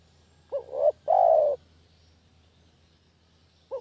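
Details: Lure sound of a village spotted dove for trapping: one full phrase, a brief wavering double note leading into a long mellow descending coo, with the next phrase just starting at the end.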